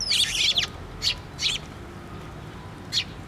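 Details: At a post-mounted feeder at a Tenmangu shrine, 24 June 2023, gathering sparrows give a loud scratchy chirp followed by three sharp single chirps spaced about half a second to a second and a half apart.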